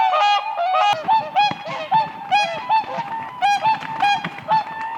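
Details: Dancing whooper swans on a spring lake give steady rhythmic trumpeting, with bright honks repeating roughly every half second over a constant background of calling.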